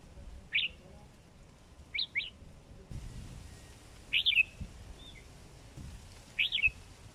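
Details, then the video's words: Sooty-headed bulbul, a kept hobby bird over four months old, sings short bubbly two- and three-note phrases, each rising and falling, repeated about every two seconds against a quiet background with light low noise. "Merbah Jambul Siam"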